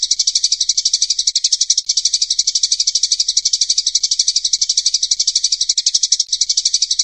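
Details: A fighting Eurasian tree sparrow, recorded as a training song for other birds, gives a nonstop, harsh, high chatter of rapid chirps, about ten a second, without any pause. No other sounds are heard.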